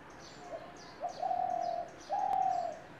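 A spotted dove gives low, soft coos, two short notes followed by two long, level hoots. Faint high chirps from other small birds sound in the background.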